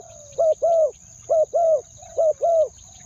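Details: Spotted dove used as a decoy, calling to lure wild doves, in a two-note style: low, hollow coos in pairs, a short note then a longer one, repeated three times in three seconds over a steady high whine.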